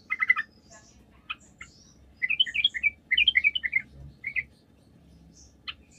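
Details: Lure song of the Sooty-headed bulbul, meant to make other birds respond. Short chirps open it, then two lively bursts of bubbly, warbling notes follow, each about a second long, with scattered single notes and faint background hum.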